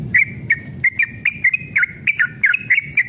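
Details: Yellow-vented bulbul (trucukan), described as male and in agitated, vigorous 'ropel' song used to provoke caged bulbuls into singing: short bubbly whistled phrases, each rising and falling, repeated about every third of a second, with low background rumble.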